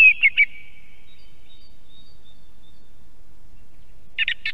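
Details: Song thrush singing in Estonia near a live osprey nest camera: a quick phrase of three clear repeated whistled notes opens, followed by near silence, then a short burst of harsher chirping notes at the end.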